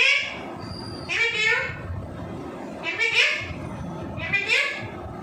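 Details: Pet talking parrot mimicking human speech, saying "give me kiss"; bright, harmonic, word-like phrases repeat about every one to one and a half seconds, three or four times, over a low steady indoor background murmur.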